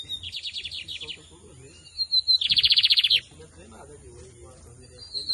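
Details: Lined seedeater (bigodinho) from Brazil singing in a head-to-head contest; two bursts of very fast, high, rattling trill notes separated by a pause and a thin whistle, with light background hiss.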